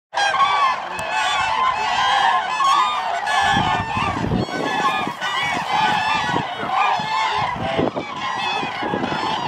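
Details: Common cranes at Lake Hornborga, a dense chorus of many birds giving loud, rolling trumpeting calls that overlap continuously, with a short burst of low rumbling noise near the middle.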